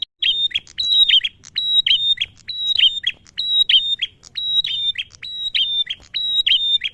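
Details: Energetic song of a male bar-winged prinia, played to provoke prinias and ciblek birds into singing: shrill, piercing whistles alternating with dry clicks in fast, steady phrases about every two thirds of a second, with no other voices.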